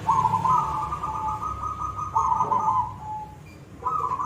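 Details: Zebra dove of the silver variety in full koong-style song: a long vibrating coo that steps slightly higher, breaks after two seconds, then a fainter held note and a fresh loud trill, with steady low hum behind.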